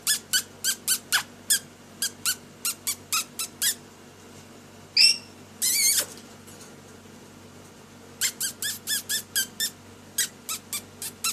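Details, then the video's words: Lory at play during its daily activity indoors, giving long bursts of rapid harsh squeaky notes, several per second, broken in the middle by a rising whistle and a noisy rasp before the squeaks resume. "DAILY ACTIVITY OF LORY BIRD, PLAYING SINGING"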